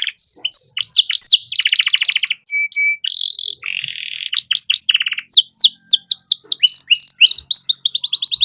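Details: Canary singing a master song for training young birds: whistled notes, buzzy rattles and low rolling trills, then a long series of quick swept chirps and a fast high trill.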